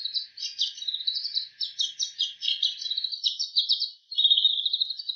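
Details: Imitated bird calls from a bull-headed shrike, a continuous chattering stream of rapid high notes and trills without a break until a short gap near the end.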